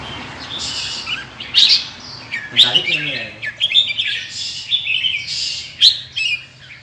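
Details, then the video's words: Red-whiskered bulbul from Indonesia with large red cheek patches, in soft-fanning display, delivering 'ché' chatter song: lively jumbled warbling with piercing high accents, plus a brief low murmur midway over background hiss. "Chào Mào Indonesia hót ché, xòe mềm - Chào Mào tách đỏ to"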